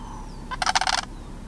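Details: Juvenile sandhill crane, one of two young birds at George W. Mead National Wildlife Area, giving a single short, harsh, rolling rattle of about half a second, with a faint thin whistle in the background.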